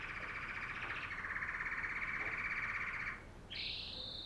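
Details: Singing female canary: one long continuous rolling trill, slightly rising and pulsing, breaks off after about three seconds, then a higher, thinner trill resumes; faint room hum underneath.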